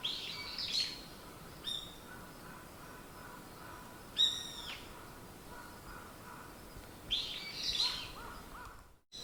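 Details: Morning birdsong heard sparsely: a few short, high chirps and brief twittering notes spaced several seconds apart over a steady background hiss.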